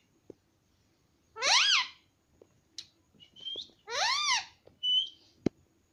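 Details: Talking pet rose-ringed parakeet indoors, saying mummy: two loud arched, harmonic calls with brief thin whistled notes and soft clicks between them against a quiet background.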